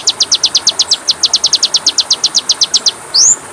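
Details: Oriental magpie-robin (kacer) song for training caged birds, with filler phrases: a fast even series of sharp repeated notes, about seven per second, ending in a single upslurred whistle, against a faint steady hiss.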